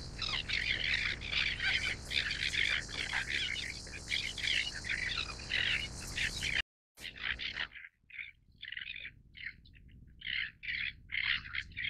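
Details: Greater crested tern calling: harsh, grating notes bunched in rapid bursts, rather dense at first, then after a short break spaced into separate raspy squawks.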